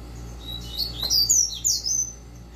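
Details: Caged Double-collared Seedeater of the tui tui style giving a brief run of high, thin slurred whistles over a steady low hum of indoor background noise.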